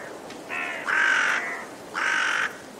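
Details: Raven with a rough double caw, a short caw running into a louder longer one, then a pause and another strong harsh caw.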